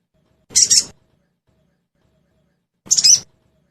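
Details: Lure sound of a sogon bird, played so that kept sogon birds answer and start singing: two short, scratchy, high chattering bursts about two and a half seconds apart, with silence between.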